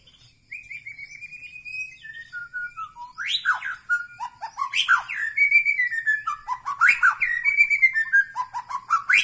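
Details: White-rumped shama (murai batu) of the Medan Bahorok type: after a quiet start, a long string of clear whistled notes that slide downward, followed by fuller, louder phrases mixing rising and falling whistles with sharp, ringing accents. The background is quiet.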